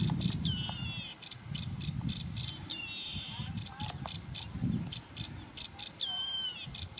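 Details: Yellow-eyed babbler in dry scrub country in India: a few short, clear whistled phrases with slurred falling notes, spaced a few seconds apart, over a steady pulsing cricket chorus and low rumbling background noise.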